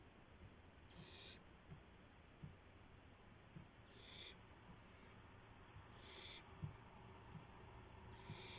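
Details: Owl calling around 12:25 AM, April 7, 2016, as a gopher is brought in with a flap and pounce; four brief raspy hisses spaced about two seconds apart, over low hum and scattered soft thuds.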